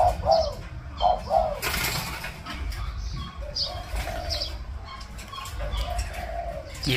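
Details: A newly caught wild spotted dove, already cooing after two days, gives a quick run of soft, low, hooting coos, then fainter coo notes over rustling and wing flaps.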